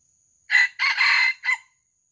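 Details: Junglefowl crow heard while wild birds are lured for capture: a loud, clipped three-syllable call lasting about a second, a rising first note, a long rasping centre and a short tail note, against near silence.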